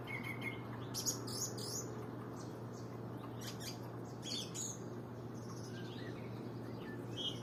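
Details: Busy, twittering bird song of quick high chips and clicks in loose bursts, softer toward the end, over a persistent low hum.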